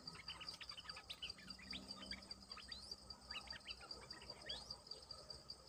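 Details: Bulbul song used to call in wild birds: chattering runs of liquid whistled notes, some upslurred, in two main bursts, over an unbroken pulsing insect trill.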